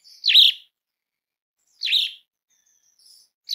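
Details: Asian pied starling calling with short grating, buzzy notes about one and a half seconds apart, each slightly downward-slurred. A third call begins at the end. The setting is quiet.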